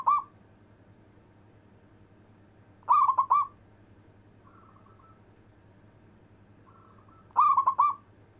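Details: Local zebra dove in long-breath performance song, meant to call lazy zebra doves: rolling cooed phrases roughly every four to five seconds, a clipped one at the start, with faint soft whistles between.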